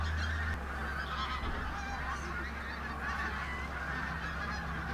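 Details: Large flock of pink-footed geese moving in and out of Martin Mere WWT Reserve, Lancashire, on a bright October 8th, 2012; overlapping high honks merge into a continuous clamour over a deep rumbling background.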